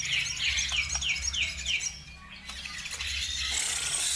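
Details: Bird song lure to trigger singing in other birds: a series of six clear, evenly spaced downslurred whistled notes, then fainter chirps, with a hiss rising at the end over a low hum.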